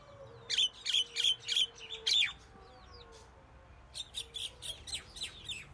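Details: Common myna calling with five loud, rasping, squawky notes in quick succession, a pause filled with softer whistles, then a second series of quieter, rapid harsh notes.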